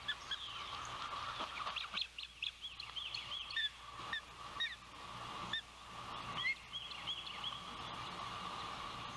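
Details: Osprey at a Savannah nest on a windy June 12, 2021, as the oldest chick makes its first fledge: scattered short, high whistled chirps come at uneven intervals over steady wind rumble.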